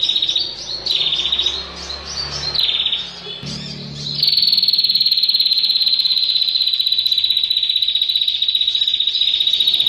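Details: A female bar-winged prinia calling to a male gives a few short high chirps, then a long, very fast, even trill that runs unbroken to the end; a low rumble sits underneath early on.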